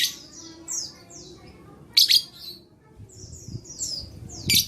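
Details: Lovebird chattering for stimulating lazy lovebirds to sing: rapid falling twitters, a loud double raspy burst mid-way, more slurred chirps and a final harsh burst, faint low rumble in the background.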